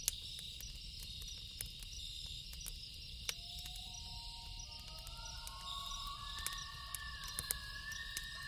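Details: Loon calling at night, long sustained wailing notes beginning midway and rising in pitch, several overlapping tones held for seconds, over a steady high cricket chorus and sharp pops from a crackling campfire.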